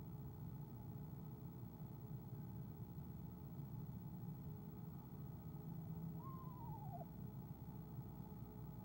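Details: Eastern screech-owl giving a soft trill when its mate comes, captured by an owl camera on 17 February 2015; after a long quiet stretch of low hum, one rapid wavering descending trill sounds near the end.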